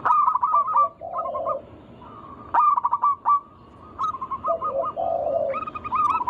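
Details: Local zebra dove song used to lure other doves into singing. Bursts of quick, clipped cooing notes break off into pauses, with lower purring coos in between.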